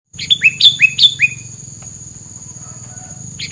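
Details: Bird used as a training or filler song for keeping rivals away: a quick run of bright whistled notes, each sliding sharply down then levelling, about five in a second, then a steady low hum and a late final note.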